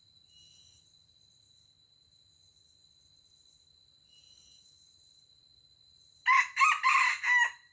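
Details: After several seconds of quiet with faint distant chirps, a wild red junglefowl lured by a decoy in Aceh bursts into a loud, choppy four-part crow while fighting the rival rooster.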